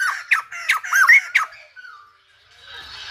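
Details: Silver-headed babbler, its singing likened to a Lumba dancer, fires off a fast burst of sharp arched squawks for about a second and a half, then trails away into a soft hiss.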